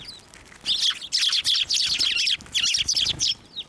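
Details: Several sparrows at a Tenmangu shrine, 11 March 2024, coming to a hand for food, give a dense overlapping chatter of high, rapid chirps in bursts.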